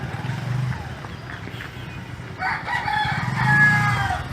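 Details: A rooster, one of many crowing along the path to the boat near Sumilon Island sandbar, Philippines, gives a single hoarse, drawn-out crow over a second long, rising then trailing off, over a low engine-like rumble and a brief man's voice.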